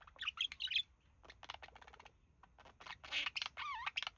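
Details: Male budgerigar, one of a relaxing pet pair, mimicking human speech: rapid chattering warble of clicks and buzzy notes, then a bright wavering whistled phrase near the end.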